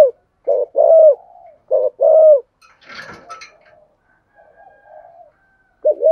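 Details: Spotted dove singing in the 'thổ sấm' voice, a complete, orderly song: a run of mellow coos, long notes bending downward, then a soft rustle and quiet murmurs before the cooing resumes.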